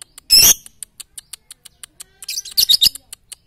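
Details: Lovebird training song for morning, noon and night: one loud harsh shrill burst, then after a pause a quick run of high chattering chirps, with faint regular ticks throughout.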